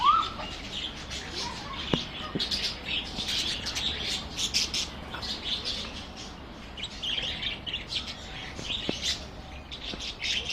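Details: Budgerigars in a park chatter in a dense flock, with constant high chirps, warbles and scratchy squawks.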